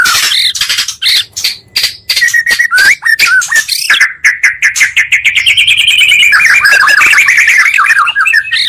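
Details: Oriental magpie-robin song combining two birds' voices, meant to provoke other magpie-robins into rapid excitement: loud, varied whistled phrases and harsh rasping notes, then a long rising-falling warbled trill around the middle pitch.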